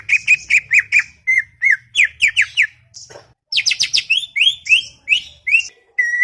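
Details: Garden-kept greater green leafbird (cucak ijo) in chattering mood, pouring out repeated whistled chirps, steady flat notes mixed with steep rising and falling slurs, a brief gap, then bright high upsweeps and a closing flat whistle.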